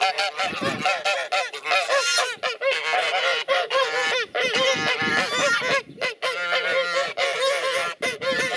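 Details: A flock of geese in aggressive warning against enemies, loud threatening chatter: a nearly continuous wall of harsh honking from many birds, rising and falling with only short breaks.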